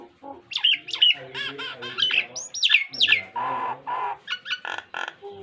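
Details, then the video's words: Nias hill myna singing a varied model song for training pet mynas: rapid mix of bright whistled slurs, harsh rasping bursts and lower nasal notes, densely packed with almost no pauses. "BURUNG JALAK NIAS GACOR FULL ISIAN"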